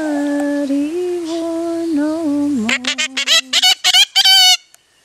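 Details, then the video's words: A five-year-old yellow-collared miniature macaw sings along with a person: a sustained sung melody, then the macaw answers with a quick run of harsh, raspy squawks, about a dozen bursts in under two seconds. "Yellow Collared Miniature Macaw: Singing"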